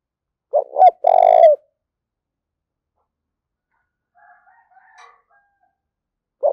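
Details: Spotted dove calling to incite fighting: a single phrase of two short hoots and a drawn-out purring coo. Faint high chirps are heard midway, and a new phrase begins at the end.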